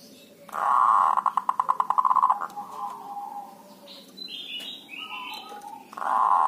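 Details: Javanese local zebra dove, dhuduk and kerot calls used as a lure for other doves. A buzzy roll breaks into about fourteen rapid clipped notes. High twittering from other birds follows, then another loud buzzy onset.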